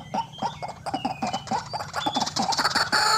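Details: White-breasted waterhen lure call for trapping: rapid, irregular run of clucking pulses, about two per second early on, speeding into a loud, harsh, buzzy chatter at the end.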